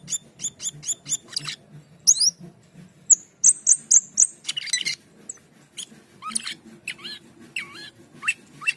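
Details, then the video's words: Energetic Asian pied starling song: quick series of sharp high notes, bursts of piercing whistles, then slurred descending and rising phrases over a faint steady low hum. "Cucak keling gacor teler | Jalak keling"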